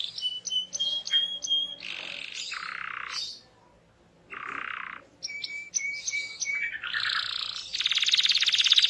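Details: Canary song played to draw other canaries into singing: clear repeated whistled notes, harsh buzzy tours, a brief pause, more whistled notes, and a closing loud, dense, high rattling trill.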